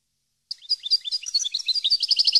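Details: European goldfinch song, recorded for training captive birds: lively high twittering of varied slurred notes, speeding into a rhythmic run of bright repeated chirps.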